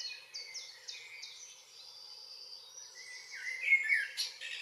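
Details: Evening song of a common blackbird in northwest Zealand in June: a mellow warbled phrase with a squeaky flourish toward the end, following a series of quick, high, falling chirps from another bird.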